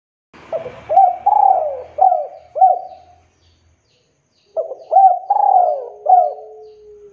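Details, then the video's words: Male spotted dove calling to lure other doves into answering: two phrases of short mellow coos near 600-800, each a quick series of three to five rising-then-falling notes with one longer drawn note, separated by a pause of about a second and a half. "SUARA TEKUKUR DERKUKU JANTAN GACOR 100% AMPUH Memancing DERKUKU LAIN IKUTAN BUNYI GACOR DOR"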